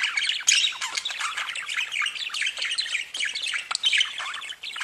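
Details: Several pet budgerigars singing together in a dense, unbroken chatter of buzzy warbles, scratchy chirps and short squeaky notes, with sharper squawks popping out of the busy flock sound.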